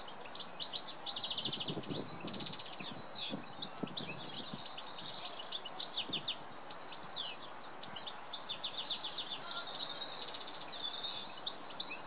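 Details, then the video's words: Early-morning song of a male goldfinch, a long run of liquid twitters, quick rattling trills and bright whistled notes, almost unbroken, with soft outdoor background noise and a few low thumps. "Goldfinch singing"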